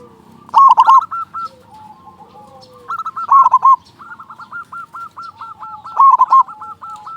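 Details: Loud local zebra dove singing as a lure for other doves. Three rolling triple coos sound roughly every three seconds, with long trains of softer, regularly repeated notes from other doves between them.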